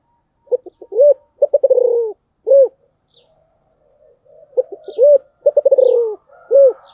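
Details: Spotted dove singing in the special 'giọng thổ' style: two full phrases, each a few short soft notes, a deep rounded coo, a fast stuttering trill of pulses and a final ringing coo, with a pause between phrases.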